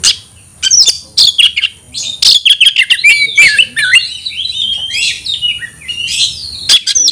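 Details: An Oriental magpie-robin calls out a rival to fight, mixing sharp clicks with varied slurred and warbling whistles in a continuous, restless run of notes.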